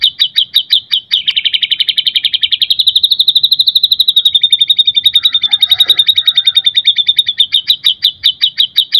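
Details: White-rumped shama in energetic imitative song used as a lure and tutor for other shamas: a sustained, rapidly pulsed high trill of crisp repeated notes, dipping and rising gently, continuing without pause through the whole stretch.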